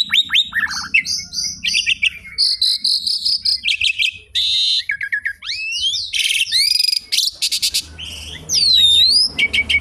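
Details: Asian pied starling in full song, used as a lure and to teach other birds: a rapid, varied stream of whistles, buzzy trills, harsh rasping bursts and sweeping rising and falling notes, almost without pause.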